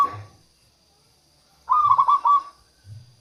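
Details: Local zebra dove singing as a lure for wild doves and to encourage reluctant birds: a single trilled, stuttering coo phrase lasting under a second, with soft low bumps before and after.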